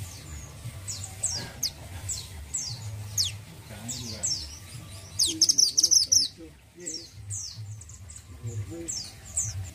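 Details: Orange-headed thrush singing for Indonesian bird-keeping fans: a run of high descending whistled notes, a loud rapid trill in the middle, then more slurred whistles, with faint human voices and low hum behind.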